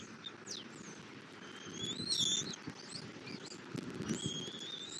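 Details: Bald eagle on a Southwest Florida nest camera, 11:00 on 8 February 2024, during feeding of an eaglet after the male delivers a catfish; high whistles, several sliding downward, with a louder burst midway above constant low rumble.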